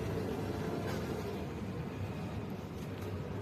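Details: Dense low rumble and broadband noise, like traffic, ending abruptly, with no animal sound.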